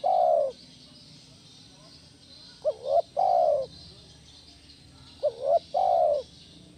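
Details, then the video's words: A spotted dove's 'kuk 1' style lure call for training other doves: one long coo ends a phrase, then two more phrases of a short bent note and a long falling coo follow about two and a half seconds apart. "SUARA BESAR PANCINGAN TEKUKUR KUK 1 GACOR"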